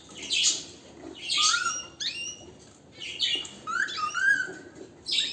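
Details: Canary delivering strong song in short phrases: harsh high bursts each followed by clear rising sweeps, with brief pauses between phrases.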